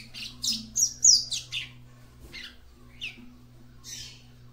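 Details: Female seedeater sounding to stir up her male: a quick run of rasping, high chirps and a sharp whistled slur, then a few spaced buzzy notes, with a low electrical-sounding hum throughout.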